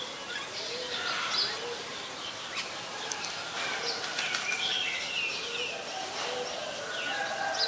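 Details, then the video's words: Oriental magpie-robin, a very common resident, singing in Ubon Ratchathani, Thailand, on 26 December 2020, recorded with a Nikon P1000: varied clear whistles and short warbled phrases, some rising or falling, with soft repeated low coos and a hissy background. "Oriental Magpie Robin (singing)"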